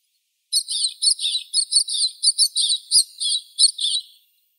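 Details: Rapid series of about a dozen high, burry chirps from a White-winged snowfinch at a fairly steady pace over three and a half seconds, with nothing else audible.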